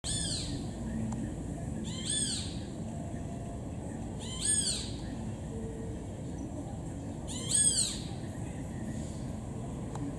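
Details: Great kiskadee (Pitangus sulphuratus) at a hotel in Puerto Carreño, Vichada, Colombia, gives four loud, harsh, arched calls, about two to three seconds apart, over a steady low rumble of wind or distant traffic.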